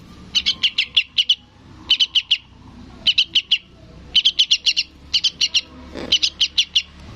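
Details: Yellow-vented bulbul youngster calling its parent: loud, evenly spaced clusters of four to six bright, high chirps, repeated with short silences between clusters.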